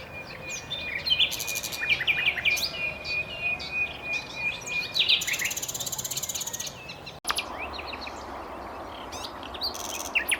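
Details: Common nightingale song with a long sustained whistled note, then very fast, dry rattling trills and scattered chirps, the bird pausing briefly before resuming varied phrases.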